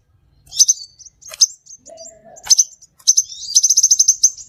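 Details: Scarlet minivet calls for luring birds: scattered sharp high notes, a brief lower steady tone, then a rapid rattling series of about a dozen bright high notes at the end.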